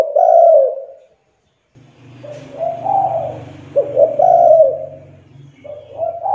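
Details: Spotted dove lure call to coax young, quiet doves into calling: low cooing phrases with stuttered starts, partly overlaid by a steady low rumbling noise through most of the recording.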